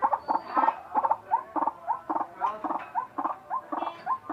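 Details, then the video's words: Unusual calling of a white-breasted waterhen: rapid, uneven series of throaty croaks mixed with short upward-sliding nasal notes, roughly two per second. "Ruak ruak bersuara aneh"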